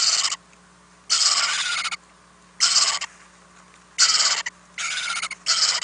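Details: Owlets in a nest house at night, 4-10-2018, as adults bring food; rasping broadband hisses about a second long, recurring every one to two seconds, with a faint electrical hum beneath.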